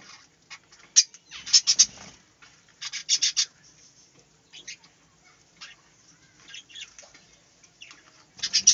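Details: Budgerigars in a small aviary give clusters of loud, harsh, high chirps in short bursts, with softer warbled twitters between and a fresh noisy burst at the end.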